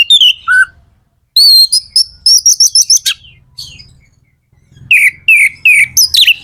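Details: Magpie-robin, called kacer, in lively song to provoke other birds: sliding whistles, a quick series of high repeated notes, then a run of falling slurred whistles.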